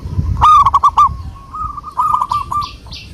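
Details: Local wild zebra dove song used as a lure: a loud burst of rolling, hooked coos, then a softer, steady trilling continuation at the same pitch, ending with a few faint higher chirps.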